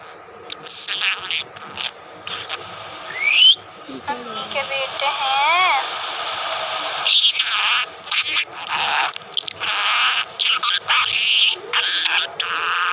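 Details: A pet budgerigar chatters in a fast, scratchy warble mixed with imitated speech-like phrases, talking in Urdu/Hindi.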